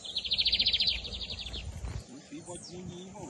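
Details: Double-collared seedeater, the Brazilian bigodinho, in the Camelão versus Torneiro song styles during the 2023 season. A fast, buzzy trill of evenly repeated high notes runs for about one and a half seconds, then fades into quiet background rustling.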